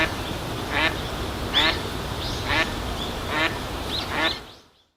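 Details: Eastern spot-billed duck giving its ordinary call notes: five harsh, nasal quacks spaced roughly every three-quarters of a second, each a short ragged burst, over a steady bed of ambient background noise.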